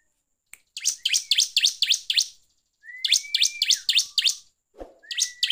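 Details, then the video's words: Bar-winged prinia, a lively bird in the clear ngeplong singing style, used as a lure to rouse other prinias: rapid bursts of sharp downslurred chips with long level whistles slipped between phrases, and a low thud near the end. "PANCINGAN CIBLEK GACOR NGEPLONG"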